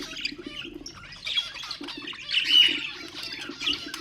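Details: A short burst of budgerigar warbling, used as a stimulating sound for other birds: soft twitters build to a louder buzzy, chattering phrase around the middle, then trail off into light chirps.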